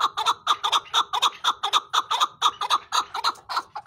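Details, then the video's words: Chukar partridge repeating paired, clucking chuck-chuck notes in a steady, regular rhythm, each pair clear and ringing, about two pairs a second. "Chakoor Bird Beautiful Sounds |چکور کی آواز"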